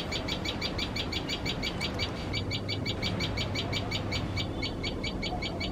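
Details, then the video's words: Common tailorbird, fearful of cats while tending chicks, gives a long, noisy series of shrill chip notes, roughly three per second, with a brief pause near the middle and a low hum beneath. "Tailor bird fear cats.Makes lot of noise while feeding chicks."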